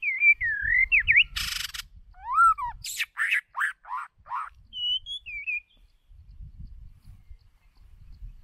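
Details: White-rumped shama decoy bird singing: clear whistled phrases, some looping and rising, a burst of harsh noise, then a run of short steep descending notes and softer high whistles. Low rumbling background.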